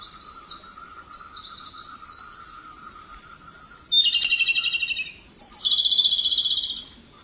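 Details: Robin singing sweeping high slurred whistles, then two bursts of loud rapid pulsed trills about a second each, with a low constant hum in the background.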